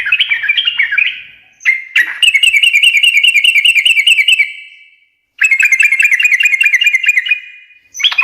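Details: Sooty-headed bulbul performing ngekek garuda song that makes other birds respond: an opening warble, a click, then long strings of rapid evenly repeated chirps with high tinkling overtones and echoing fade-outs.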